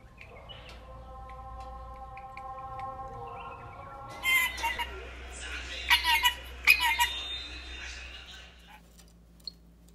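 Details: A dancing pet lory gives several harsh, loud, broadband squawks in quick bursts, over a steady humming tone and a faint human voice calling it to come.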